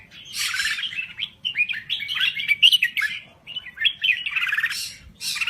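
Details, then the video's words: Thailand crested bulbul singing lively: a harsh, scratchy opening burst, then run-on warbled phrases with sliding notes, with a further harsh burst near the end. "Kicau Burung Merbah Jambul Gacor"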